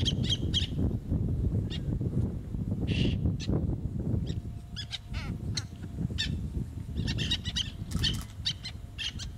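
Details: Black-naped terns breeding on a rocky reef on Ishigaki Island, Okinawa, Japan, give short, harsh, scratchy calls in scattered bursts, some in quick clusters, over a heavy low roar of wind and surf.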